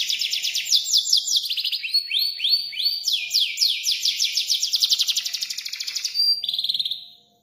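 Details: Canary in full, continuous song: varied high phrases of rising and falling slurred notes, rapid rolling trills of repeated downstrokes, and whistled segments, changing pattern every second or two, with a faint steady tone underneath.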